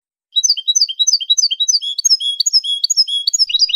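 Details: European goldfinch from Casablanca, Morocco, in clean song: a continuous run of bright, high tinkling notes, first repeated two-note figures, then longer ringing whistled notes, then a quick twittering flourish.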